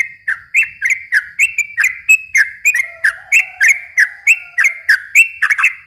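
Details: Yellow-vented bulbul singing an extended fast phrase, meant to draw and excite young bulbuls; bubbly slurred notes about three per second, a soft low tone sliding underneath for a few seconds.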